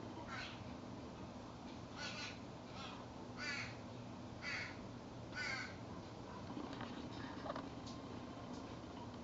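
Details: Fledgling crow in a backyard, with its parents bringing food between its naps; a run of six rasping, grating caws about one per second, then fainter scattered calls against a low rumbling background.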